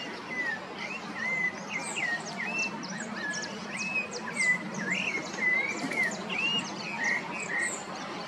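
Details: Rufous-bellied thrush singing at Parque das Águas in Cuiabá, Mato Grosso, Brazil: short slurred whistles, several each second, against a dense chorus of higher chirps and a low, steady background hum.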